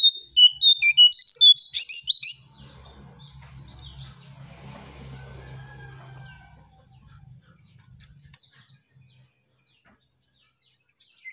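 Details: Striped tit-babbler song for luring: some eight loud, clipped notes repeated evenly in quick succession, then the calling stops, leaving faint chirps and a low hum.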